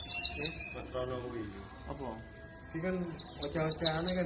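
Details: Warbling white-eye, dakun type, Bondowoso, East Java, in a lure recording to make birds join in: quick high downslurred chirps at both ends, with human voice sounds in the middle.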